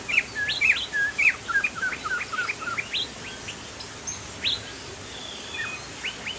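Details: Sumatran crested laughingthrush singing energetically: loud, ringing whistles that loop up and down, rattled off in a fast sequence, then sparser high notes trailing away, with low background hiss.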